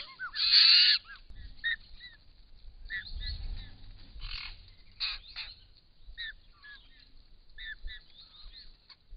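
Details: Wild White-winged Choughs drinking at a pond in Australia, camera-trap recording; one loud harsh burst opens, followed by scattered short rasping notes and soft low rustling.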